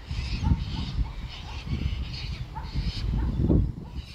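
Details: Wild Magpie Geese in Australia give loud, resonant honks, several birds overlapping at a quick, uneven pace of one or two calls a second, over a low rumble of background noise.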